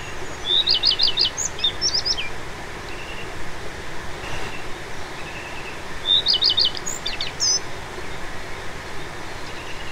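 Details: Common redstart singing in spring in the oak woodland of the Dyfi Valley, mid Wales: a clear note, a quick run of repeated notes, then a scratchy high flourish that peters out, like an engine not quite catching; low rumble behind.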